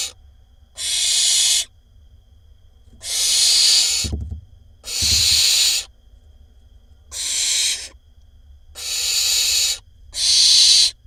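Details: Barn owl nestling calling inside a nest box in Israel, 20 May 2021, a sibling in a brood of six hatched in spring; six harsh, breathy hissing bursts, each nearly a second long, about every two seconds, with two soft low thumps.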